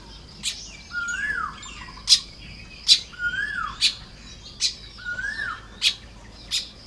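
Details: Baya weavers building nests in the morning in Lopburi, Thailand, on 1 May 2026. Sharp, high chirps come about once a second, with three swooping whistles that rise and fall, and faint buzzy chatter.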